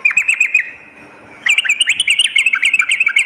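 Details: Sooty-headed bulbul song used to lure birds and to tutor them, morning and night: a short chirping burst, a brief lull, then a longer stream of quick, lively, warbled notes.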